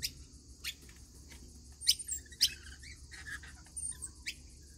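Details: Rainbow lorikeets at a routine feeding give sharp, piercing shrieks about every half second, mixed with softer squeaky notes.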